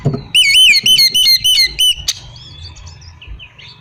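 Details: Oriental magpie-robin giving whistled song to provoke other magpie-robins into answering: a strong string of looping, up-and-down whistled notes repeated about six times in quick succession, followed by softer chirps.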